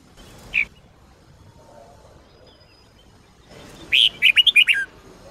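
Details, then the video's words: Red-whiskered bulbul of the Sông Kôn type, used for daily song training: one lone sharp chirp, a long quiet gap, then a fast burst of five or six bright warbled notes near the end. "chào mào SÔNG KÔN hót cực hay , dùng luyện chào mào mỗi ngày"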